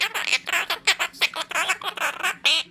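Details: A pet monk (quaker) parakeet mimics its owner's Spanish speech while arguing about not wanting to eat: rapid, harsh, high-pitched speech-like chatter, about four or five quick bursts a second, like squawky scolding talk.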